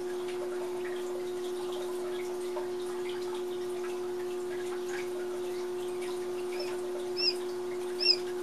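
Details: Manchurian and Italian Japanese quail chicks just a couple of days old give a few thin, high, arched peeps near the end, over a steady low electrical hum.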